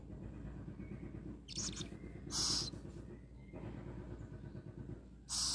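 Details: Little owl, a rescued bird kept in care until it can feed itself in the wild, calling just before being fed: a few short, harsh, hissing screeches, high-pitched and spaced irregularly, over a steady low hum.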